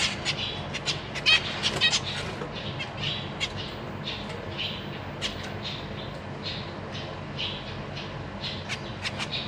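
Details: Zebra finch family of parents plus three juveniles and three new fledglings in a large cage, April 14, 2023. Rapid run of nasal chirps and squeaks at the start, then steadier scattered chirping over low hum.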